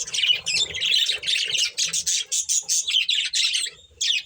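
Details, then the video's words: Budgie breeding pair uttering fast, evenly spaced scratchy chirps with a buzzy warbling quality, ending in a final short burst after a pause. "Cute Budgies Chirping Sounds | Beautiful Budgies Breeding Pair"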